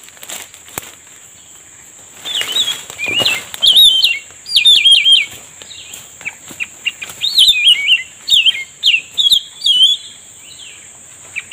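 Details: Cucak rumbai tungging being lured during a trapping session, singing bursts of high, clipped twittering and zigzag whistled notes, loosening into separate chirps repeated about twice a second, over a steady high electronic whine and faint rustling.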